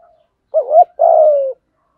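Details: Lure spotted dove calling wild birds in: a single phrase of a brief wavering coo followed by a longer, rough, gently falling coo, in otherwise quiet surroundings.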